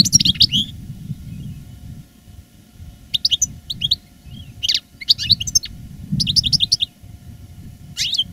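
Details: Caged veteran European goldfinch of reclamo singing style, in 2017 after the moult, giving separated bursts of fast tinkling twitters and short liquid phrases with pauses between, low hum underneath.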